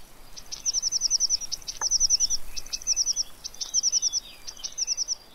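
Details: Eurasian blue tit visiting a fat ball feeder at Pellerey, France, 3 March 2017; high, rapid trilled phrases of evenly spaced ticking notes, repeated in five bursts with short gaps, over faint background hiss.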